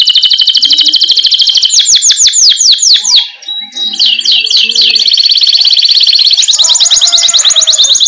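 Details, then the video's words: Canary in full rolling song, meant for training young chattering canaries; fast buzzy trills lead into repeated sweeping slurs, a brief lull midway, then dense high trills resume. "Masteran Suara Burung Kenari GACOR Ngerol"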